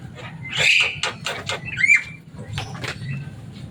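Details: Javan myna kept as a pet, a loud, noisy bird said to imitate human words, producing a rapid series of harsh rasping bursts and a short rising whistle over low background hum.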